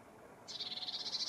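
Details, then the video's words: Lesser whitethroat giving a dry, fast rattle of high, evenly spaced notes that starts abruptly and carries on steadily to the end, over quiet background hiss. "Lesser whitethroat"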